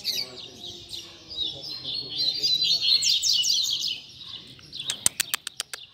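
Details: Coleiro singing a tutor song meant to teach young birds: a sustained run of fast, high chattering and twittering notes, followed by a series of sharp clicks near the end.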